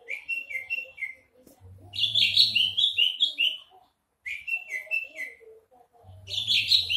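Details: Javan bush lark singing while hovering, sweet whistled phrases dropping in pitch alternating with bursts of dense, buzzy high notes, a low hum underneath in places.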